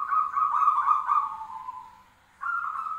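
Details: Zebra doves answering each other: a long rippling, trilled coo lasting about two seconds fades out, then after a short pause another trilled coo starts at a slightly higher pitch.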